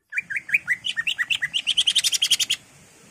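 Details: Greater green leafbird (cucak ijo) in energetic 'gacor' song, used as a lure to stir a caged bird into singing: a fast run of about seventeen chirped notes climbing from mid to high pitch, quickening and brightening before stopping abruptly.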